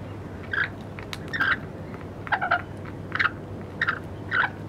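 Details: Lorikeets in Wollstonecraft give short, harsh, screechy calls, about six in under five seconds, over a low steady hum of distant traffic.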